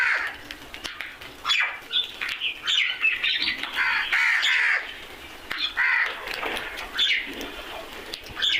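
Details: Several crows calling together, rough raspy caws in overlapping bursts, loudest around the middle, with smaller birds chattering and chirping throughout.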